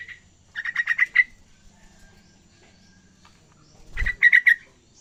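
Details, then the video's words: Young yellow-vented bulbul practising continuous song: two bursts of rapid, evenly repeated chattering notes, each burst of about six notes, separated by a quiet pause with a low thump before the second. "anak trucukan belajar ngacor"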